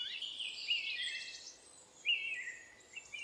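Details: A blue-black grassquit calls along a roadside near Ollantaytambo, Peru, at 3000 m altitude in March 2023. It gives two short, high, buzzy notes about a second and a half apart over a steady hissing background.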